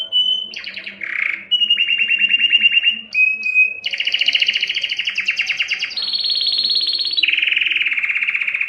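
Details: Canary song made of varied tours: a brief whistle, a low bubbling note, then long evenly pulsed trills stepping between pitches, including a high smooth whistled passage, continuous and loud.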